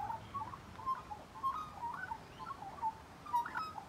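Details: Magpie calling close by: quick run of clear, flute-like whistles and gurgles, evenly spaced, filling the whole moment.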